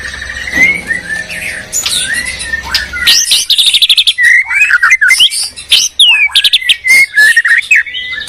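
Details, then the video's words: Duel of white-rumped shamas from Medan and Borneo, birds known for defending territory: varied song of clear whistles, sharp upswept notes and trills, growing more rapid and broken after the third second. "Murai batu gacor medan vs borneo duel dahsyat"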